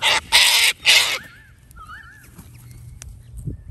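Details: A Sulphur-crested Cockatoo, one of a wild flock at an Australian reserve, gives three harsh, raspy screeches in quick succession. Faint, thin whistles from smaller birds follow.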